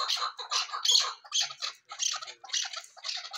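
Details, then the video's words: A female fighter chukar partridge calls in a steady series of coarse, scratchy bursts, roughly two per second, each short and noisy with brief gaps between, heard clearly with little other sound. "fighter chakor keklik sesi 1 female"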